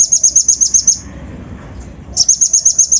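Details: Van Hasselt's sunbird lure song with rough fill-ins, aimed at raising the temper of untrained birds. Two quick series of sharp, very high ticks, roughly eight per second, are split by a one-second pause.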